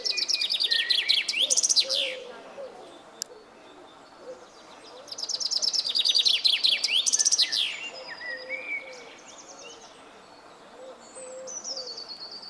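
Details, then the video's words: Common chaffinch singing high up in a tree: two loud descending trills of rapid notes ending in a flourish, each about two and a half seconds long, separated by quieter pauses with faint distant bird calls. "Buchfink singt"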